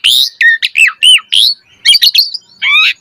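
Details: Short burst of Asian pied starling song from a recording made to get birds singing: a harsh opening note, dipping slurred whistles in quick series, a pause, then a chattering cluster and a warbled ending.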